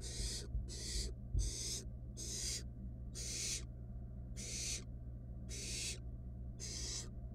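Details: Wild barn owl nestlings, one stealing a rat its sibling could not swallow; eight raspy hissing screeches, fast at first then slowing to about one a second, over a steady low hum with a faint knock.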